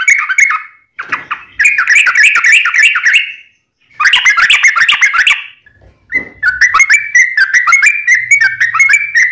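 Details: Yellow-vented bulbul song used as a lure: two bursts of dense chattering, gurgling notes separated by silences, then a run of clearer rolling whistled phrases.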